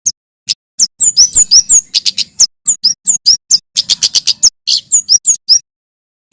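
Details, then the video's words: Singing male bar-winged prinia in lively wild-style delivery, used as a tutor recording for songbirds. Shrill, sharply downslurred notes come singly at first, then build into fast buzzy clusters before tapering off. "Suara Prenjak Keres (kemade jawa) GACOR NGALAS"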